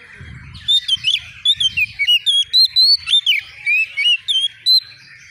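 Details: Agitated young white-rumped shama sings in answer to a rival: a steady sequence of bright, looping whistled notes and quick slurred sweeps, repeated about three per second, with faint low rumbling early on.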